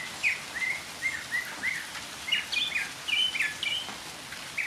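A Northern mockingbird sings a string of short, varied chirps and warbled phrases, each different, over a steady hiss of falling rain.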